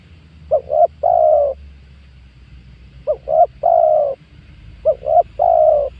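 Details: Spotted dove recorded as a lure for trapping wild doves in 2022: three evenly spaced phrases, each two quick notes followed by a long resonant coo.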